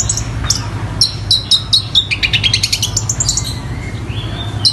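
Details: A long-tailed shrike copies quarrelling sparrows and the tengkek buto kingfisher: clipped, piercing chirps in quick series, a falling chatter near the middle, then a soft rising whistle and one last chirp, over low hum.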